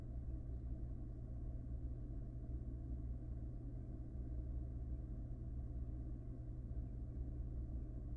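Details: Steady low engine-like rumble fills the recording with a few brief noise bursts and no animal sound.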